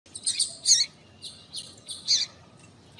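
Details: Female double-collared seedeater (papa-capim) calling to excite and stir males into singing: short, high, buzzy chirps at irregular intervals, some doubled, over a quiet low background hum.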